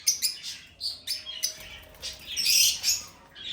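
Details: A lovebird singing and chirping: a string of sharp, high, bright chirps and short squeaky notes, some close together and some spaced apart, with a louder burst of chatter near the end.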